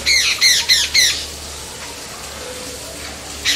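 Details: Jungle babbler, known in Bengali as ছাতাড়ে, babbling: four harsh, nasal squawks in quick succession, then a pause over faint background hiss before one more squawk at the end.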